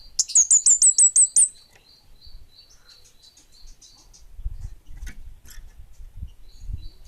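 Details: Orange-headed thrush ('bunga api' type) singing hard: eight quick, very high, curling whistled notes packed into just over a second. Softer high chirping follows, with low rumbling noise later.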